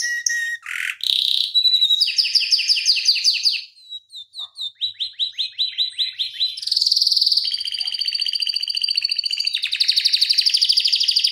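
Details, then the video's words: A tutor canary sings a long rolling song meant to teach and prompt other canaries. Opening sharp notes and a harsh burst lead to falling slurred notes, then tight rapid trills fill the second half. "Kenari Masteran Suara Gacor Ngeroll Panjang Untuk Pancingan Maupun Masteran"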